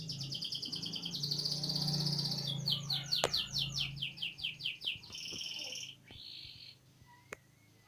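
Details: Canary, a national champion singer in full voice, delivering fast repeated trills of bright whistled notes that shift from one rapid phrase to the next, with a faint low hum beneath.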